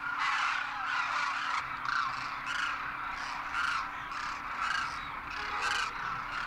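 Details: Migratory Demoiselle crane flocks wintering at Kheechan village, Rajasthan, India, call while foraging in dry land near a waterhole: overlapping rough, bugling croaks about once a second over a steady low hum.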